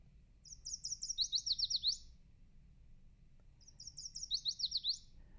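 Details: Yellow Warbler song, remembered as "sweet sweet I'm so sweet": two bright, high, sweet phrases of quick whistled notes speeding into a slurred jumble at the end, about three seconds apart.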